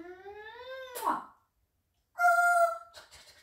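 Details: An African grey parrot named Simba mimics a train: a rising, harmonic whistle-like hoot, a burst of hiss, then a long steady horn-like tone and chuffing noise.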